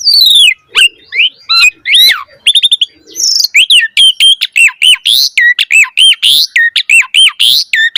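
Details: Javan pied starling singing vigorously while pumping, used as a lure and tutor for young starlings: a rapid run of loud whistled slurs, falling swoops and harsh buzzy notes, crowded together without pause.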